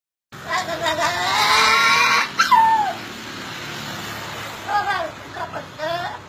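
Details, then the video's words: A parrot makes a turbo-whistle sound: a hissing rush, then a sharp falling whistle like a turbo's blow-off, followed by three shorter descending whistled notes. "Parrot makes turbo wistle sound"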